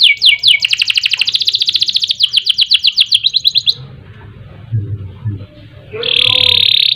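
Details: Lively canary singing in ngerol and nembak style, recorded as tutor and lure material: a rapid rolling trill of high repeated notes for several seconds, a quiet gap with faint low noise, then a sustained buzzy high note.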